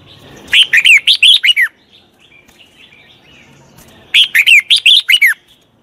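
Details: Two clear bursts of lively whistled song from a red-whiskered bulbul, a wild-caught bird under training, each a fast string of about seven bright, slurred notes, separated by a soft pause.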